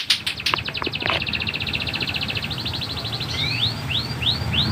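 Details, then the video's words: Canary training song for young canaries or birds that have stopped singing: a rapid even trill of high notes followed by a few spaced, rising whistled slurs, over steady low background noise. "Masteran Kenari Super Gacor"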